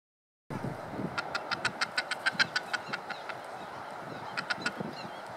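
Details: A hungry masked booby fledgling, already able to fly, begs from its parent on Phillip Island, Norfolk Island, in June 2017, with rapid harsh, hoarse squawks, about five a second, a pause, then a few more, over steady wind or surf noise.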